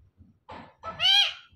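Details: Captive parrot from a male and female pair mimicking speech: a short rough syllable, then a louder drawn-out harmonic word that rises and falls, over low human voices.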